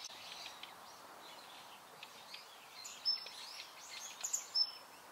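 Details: Daurian Redstart (Phoenicurus auroreus), a winter visitor, first seen this season in November 2021 near a park in Japan, gives a few thin, very high whistled notes spaced about a second apart, over a soft outdoor hiss.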